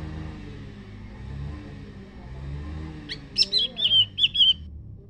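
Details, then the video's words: Leafbird singing in reply to a scarlet minivet: after a quiet stretch, a sudden burst of about six sharp, high notes, then rapid downslurred whistles that tumble into a short chattering phrase. "Kicaun SIRI SIRI raja... ⁉️ BERSAUTAN dengan SEPAH raja."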